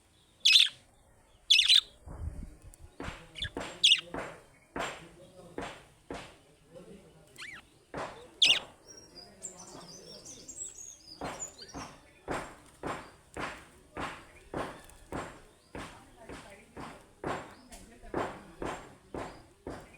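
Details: Budgerigars (Melopsittacus undulatus) chattering with rapid, sharp chirps and scratchy warbles, repeated in quick bursts.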